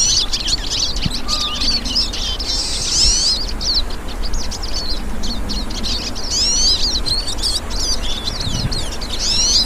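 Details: Wild hooded siskins, several birds singing together in nature, deliver dense bursts of high, thin chirps and twitters, with brief pauses between clusters and a constant low background rumble.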